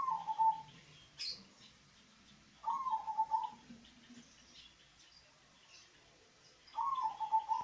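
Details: Local zebra dove, a deep bass-voiced bird, used as a lure to make lazy doves sing: three pulsed, cooing phrases near the same low pitch, each under a second, about three seconds apart, with faint high chirps from other birds.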